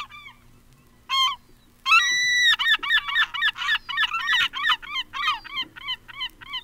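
Herring Gull giving loud, nasal yelping calls: a brief note, a longer drawn-out wail, then a fast series of about a dozen laughing 'kyow' notes.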